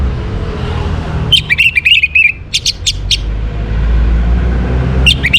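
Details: Orange-headed thrush in northern Bali, morning recording for bringing birds into breeding condition: a run of quick chirped notes followed by rapid sharp ticks, then a brief renewed chirp, over steady traffic-like rumble.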